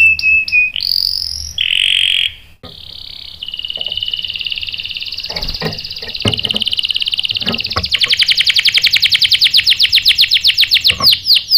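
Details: Canary singing, a lure recording meant to provoke other canaries into answering with sharp rolls: brief whistled notes, a steady buzzy trill, then a fast, even, pulsed roll.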